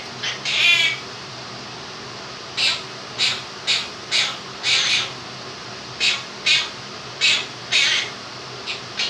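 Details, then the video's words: Captive male Quaker parrot, two years old, doing the 'do-do-do-do' music of 'If You're Happy and You Know It' as a series of evenly spaced, hoarse high notes against constant fan noise. "Quaker Parrot sings 'Happy And You Know It'"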